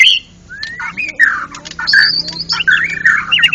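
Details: Champion white-rumped shama at a national songbird contest in ngeplong gacor mode: a long rising whistle, then dense loud whistled and slightly harsh phrases running almost without pause.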